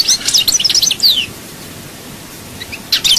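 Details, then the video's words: Goldfinch from Souk Ahras, Algeria, delivering Chaayba-style song: a rapid, liquid twitter of high chirps ending in a descending slurred note, a short silence, then another sparkling phrase begins. "chant chardonneret souk ahras chaayba"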